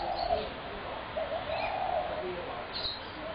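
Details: Spotted dove on 21 January 2017: two low, husky purring coos, a short one then a longer rolling note, set against steady background hiss and a faint high chirp near the end.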